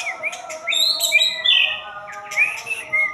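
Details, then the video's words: White-rumped shama in 'jalur murai' style, singing loud clear whistles that slur up and down, with overlapping high thin notes and quick phrase changes. "JALUR MURAI YG BIKIN RUSAK DOMPET"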